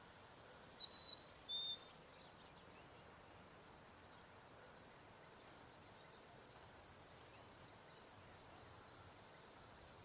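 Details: Male northern cardinal giving clear, thin whistled notes, a few short slurred ones early on, then a quick run of repeated high chirps in the last few seconds, over a steady hiss of background noise with two sharp clicks.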